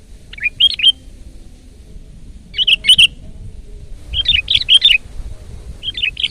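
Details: Loud 'gacor' Sooty-headed bulbul sings short clusters of liquid, bubbling chirps, about one cluster every two seconds, over a faint low background. The recording serves as a lure and tutor for birds.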